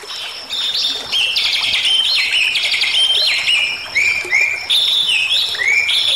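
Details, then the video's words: Bali myna song used as a training recording, loud clear whistled notes in stepped rising and falling phrases, rapid repeated chirps and slurred whistles forming a lively continuous run "Suara Jalak Bali Gacor Isian Cocok Untuk Masteran Dan Pancingan Bunyi"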